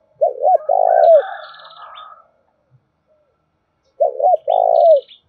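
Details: Spotted dove cooing as a lure for wild birds, "thổ đồng" style voice: two phrases of a short double hoot and a drawn-out low coo, with fainter higher twittering between them.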